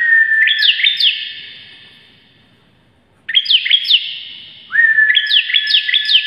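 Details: Bar-winged prinia singing vigorously, as song-training audio: a level whistle followed by quick, shrill upward-flicking notes, in loud bursts broken by a two-second pause.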